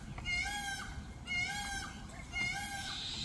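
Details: Peacock calling during its dance display on a roof: three evenly spaced, loud, ringing, rising-and-falling cries, about one per second.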